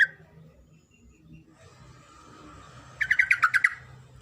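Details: Female sooty-headed bulbul calling to the male, a call used to lure reluctant singers. After a quiet stretch with faint background hum, one short burst of about seven rapid, chattering notes comes near the end.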